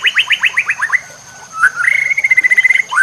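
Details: White-rumped shama tutor song for training caged shamas, with nature sounds and trickling water: a quick series of sharp repeated notes, a soft low whistle, then a rising slur into a fast even trill.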